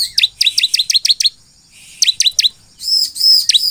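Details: Bar-winged prinia (ciblek) singing vigorously, a recording meant to make other ciblek respond: rapid series of sharp, high downslurred chips, a short pause, then more chips and two longer bright arched whistles.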